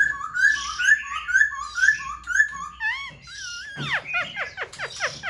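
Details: Black-throated laughingthrush, caged, with fanned tail and lifted wings, repeating a level whistled phrase about every half second, then looping notes and a burst of steep descending sweeps.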